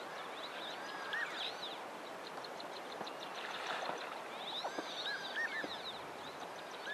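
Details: Soft whistle calls from a group of Cape teals on a large pan in late winter: clusters of high, looping whistles near the start and again later, over constant rushing background noise.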